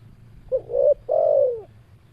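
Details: Spotted dove call: a short coo sliding into a rising phrase, then a longer coo that falls away, low and soft over a faint low hum in the background.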